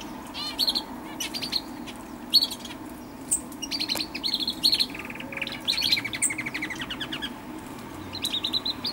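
Common Chaffinch with bright, high chirps and short rattling trills every second or so. Other small birds seem to chatter alongside over a soft background hiss.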